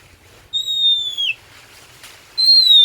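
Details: Oriental magpie-robin (kacer) singing vigorously: two long, clear whistled notes, each gliding slowly downward and ending in a short drop, separated by a pause, over a quiet background.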